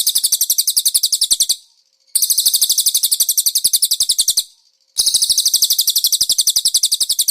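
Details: Master recording for training caged birds: konin song with cililin-style filling, given as three rapid, high-pitched, even trills of sharp clipped notes, each lasting about two seconds and separated by short silent gaps.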